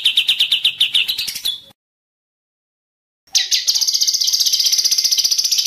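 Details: White-rumped shama singing hard and agitated in an edited birdsong training recording: a fast buzzy trill that climbs in pitch, a sudden silence, then a denser, higher rapid trill.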